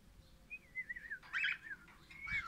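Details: Happy singing crimson rosella (Pennant), orange colour form, giving soft wavering whistled phrases that wander up and down, broken by a brief harsher chirpy burst, then a level sustained whistle, over a faint background hum.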